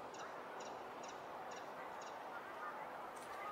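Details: A chiffchaff still singing at the end of June sings a thin, high chiff-chaff series of notes, about two per second, over a steady rushing background noise.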